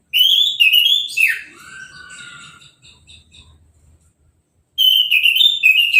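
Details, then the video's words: Caged orange-headed thrush singing right after its moult, freshly bathed with a hose spray and left uncovered: loud, high whistled phrases with quick slurred notes and a falling swoop, a softer twittering tail, a pause, then another bright burst. "Anis Merah Sehabis Mabung Mandinya Disemprot Selang , Gak Pakai Kerodong , Bisa Langsung Berbunyi"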